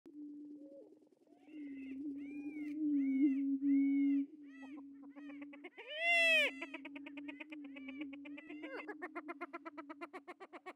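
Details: Endangered Attwater's prairie chicken at a captive breeding facility, booming and dancing to impress females; a steady low hooting drone underlies loud, nasal, arched cackling calls and a rapid series of clucks near the end.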